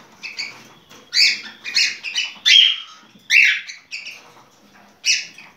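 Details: Cockatiel singing for mating: a lively series of loud, bright chirps in uneven bursts, roughly one per second, some with a thin whistled tone running between them.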